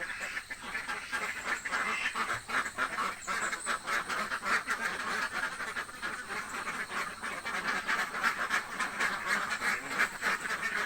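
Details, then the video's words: Village ducks, described as very hungry, keep up a loud, unbroken chorus of raspy quacks, many birds calling over one another with no pause. "duck quack hungry sound effects"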